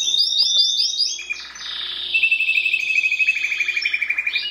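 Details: Timbrado canary singing: quick upward chirps, a dense rolling trill, then a long pulsing trill that slowly falls in pitch, ending in a rising note.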